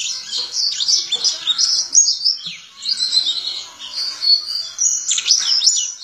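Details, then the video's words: White-eye (Zosterops), an Indonesian contest and mimicry bird, sings with open beak: high jumbled twitters, quick slurred notes and a few sharp downward sweeps, in bursts with brief gaps. "Pleci Gacor Ngalas Ngeroll (Zosterops)"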